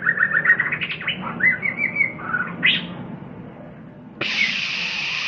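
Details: White-rumped shama performing: a lively run of varied clear whistled notes and slurred phrases, followed by an abrupt harsh buzzy burst lasting over a second, over a steady low hum.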